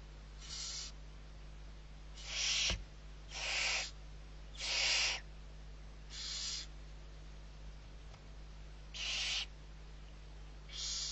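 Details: Barn owl owlets, six of them, being fed in the Riet Vell reserve of Spain's Ebro Delta, November 2023; harsh rasping hisses come in short bursts roughly every second or so, with a faint background hum.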